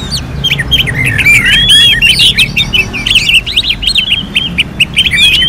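Orange-headed thrush singing a fast, continuous run of varied high whistles, chirps and trills, rich in mimicked phrases, with a low rumble underneath.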